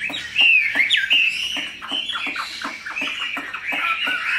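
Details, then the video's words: Tame caged Chinese hwamei opening with two clear, loud whistled slurs, followed by softer running warbles over a steady pattern of rapid clicks nearly three a second. "Mi họa thuần, bộ to, chất giọng cực hay"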